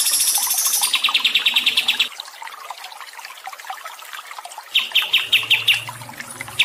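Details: High chirp train opens over running water, then quick repeated notes, then a calmer stretch of trickling water before another short string of bright chirps, in a training recording for stressed songbirds.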